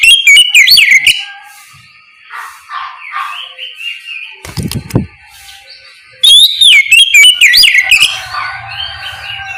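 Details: White-rumped shama singing in the morning to prompt other shamas to answer; loud varied whistled phrases with sweeping notes, a pause with a low thump midway, then a renewed bright burst of rapid warbling.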